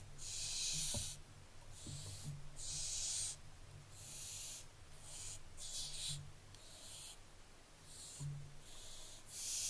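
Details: On 15 July 2024 barn owlets keep up a series of rasping hisses, some long and some clipped, coming in rapid, uneven succession with a few faint clicks.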